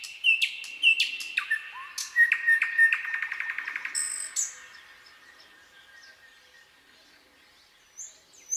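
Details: A Common Nightingale sings at night in a forest: a varied phrase of sharp high notes and whistles, then a rapid rattling trill, before fading into quiet night air.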